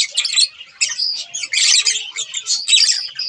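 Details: Budgerigar pair chirping and warbling in choppy bursts: gritty chatter broken by short gaps, with a few clearer whistled squeaks.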